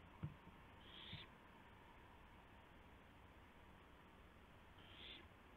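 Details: Owl bringing a gopher to its mate at night on April 2, 2016: a brief knock, then a harsh hissing screech, a pause of nearly four seconds, and another screech, over low hum.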